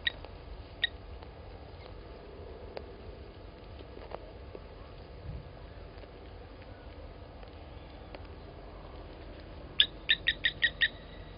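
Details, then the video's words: Blacksmith lapwings protect their nest as an impala approaches at Gowrie dam waterhole, Djuma Game Reserve, Sabi Sand, South Africa, 15:07 on 27 August 2020. Sharp metallic 'tink' notes come scattered, then a rapid run of six, over a low rumble. "Blacksmith Lapwings protecting nest as Impala gets near"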